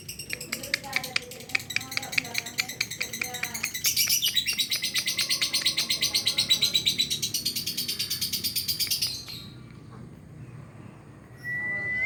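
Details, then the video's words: Lovebird answering another lovebird it has heard: human voices at first, then a fast burst of shrill, high chirps, several per second, lasting about five seconds before falling quiet. "dengar sekali burung lovbird lain lansung koex2"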